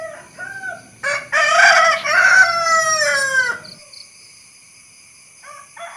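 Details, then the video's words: Rooster calling with a full crow, two rising-and-falling loud syllables blended into a long hoarse cry that trails downward, then quiet with a faint short call at the end. "the sound of a rooster"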